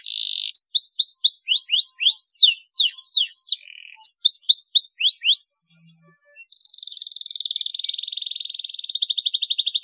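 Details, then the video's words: A lively singing canary, used as a lure recording to stimulate other canaries to sing, gives rapid high sweeping notes, several per second, then a long, even, rolling trill after a short pause. "SUARA PANCINGAN KENARI GACOR"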